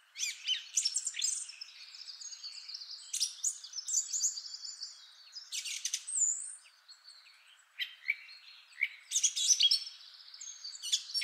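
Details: Song thrush, the first of three different males, singing a rich song of long, complex phrases: high, varied scratchy and whistled phrases separated by short pauses.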